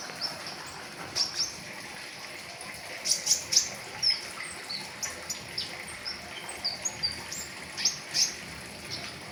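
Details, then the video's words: Flowerpecker song in the fast 'riwikan' full-filler style, used for tutoring caged birds: high, thin, sharp chirps and short whistles, in bursts with gaps, loudest near the middle, over a soft steady hiss. "Terapi pentis raja riwikan full isian , cocok buat masteran"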